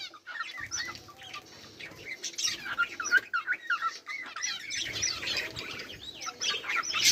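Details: Budgerigars give a stream of rising and falling whistled chirps and warbles that overlap in busy flock chatter.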